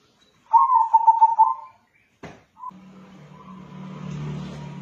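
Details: Local crossbred zebra dove with a soft voice gives a pulsed, bubbling coo of rapid even notes lasting about a second, followed by a sharp click and then a steady low hum with faint background noise.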